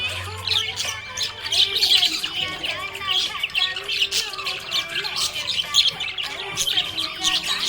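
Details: A contented budgie chatters nonstop, rattling off fast scratchy warbles and high squeaky chirps while faint music plays beneath.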